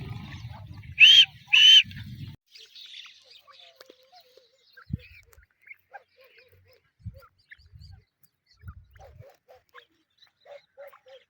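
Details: Grey francolin with two loud, harsh, slightly rising notes close together near the start, followed by quiet background with scattered faint clicks and low thumps.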